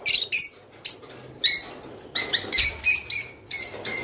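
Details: Java sparrow song, played to stimulate birds to mate: short bursts of high, bright chirping notes with tinkling overtones, separated by brief pauses, plus a few soft clicks.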